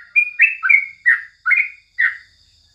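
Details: Six bright, slurred chirps from a Sooty-headed Bulbul in the morning, each note dipping in pitch, delivered in a quick sequence over two seconds before falling quiet.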